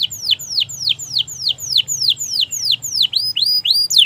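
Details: Canary song, played to make non-singing canaries start singing: a steady series of loud downward-curving whistles about four per second, ending with a few upward-bending notes.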